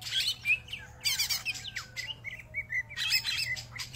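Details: Greater green leafbird warbling a jumble of high chirps, short downslurred whistles and scratchy notes, then a run of repeated clear whistled notes ending in a bright burst.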